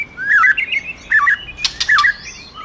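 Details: Brief white-rumped shama phrases with a female prompting: warbled mid-pitched slurred whistles in short bursts, separated by a couple of sharp clicking bursts.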